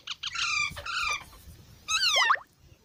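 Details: Baby parrots making drawn-out, rasping, slightly rising harmonic calls in close succession, then one louder squawk that falls in pitch at its end.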